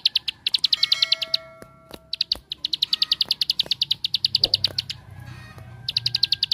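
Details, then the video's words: Bar-winged prinia giving a 'tembakan' (shooting) style song used to provoke other prinias to sing: rapid bursts of sharp, high chipping notes, about three a second, broken by short pauses, with faint clicks and low hum behind. "Suara Tembakan Ampuh Untuk Pancingan Ciblek Sawah Anda"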